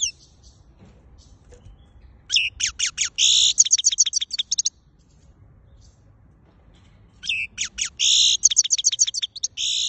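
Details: European goldfinch, Quetta and Afghanistan: two bursts of song, each a rapid series of sharp chips running into a harsh buzzy rattle and more twittering, separated by several seconds of quiet.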